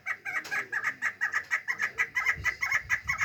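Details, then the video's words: Chukar partridge, described as chick and female calls (local word meri): rapid, clipped notes repeated about twice a second with a steady, pulsing rhythm and little background noise. "Yavru keklik sesi (meri)yavru keklik sesi dişi keklik sesi"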